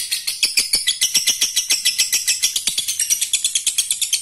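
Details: Male lovebird calling to a female, a call said to set all other lovebirds chattering: a fast, steady run of sharp, high chirps, roughly two each second, forming a continuous shrill twitter.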